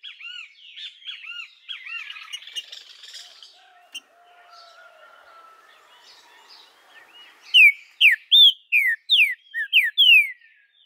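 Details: A captive Green-winged saltator, recorded 2 Aug 2020 in Araruna, Paraná, Brazil, and played to stimulate other saltators to sing. Softer chirps and warbling come first, then loud, clear whistled notes slurring up and down, about eight in three seconds.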